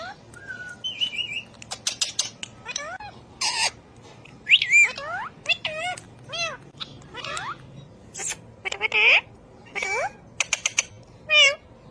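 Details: Talking ring-necked parakeet producing speech-like mimicry: short rising and falling harmonic syllables, sharp clicks and bright whistled notes scattered across twelve seconds, with brief quiet pauses between bursts.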